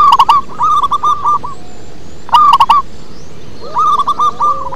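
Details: Local zebra dove in bassy song, giving long runs of rapid trilling coo notes, one short loud burst in between and another rising run at the end.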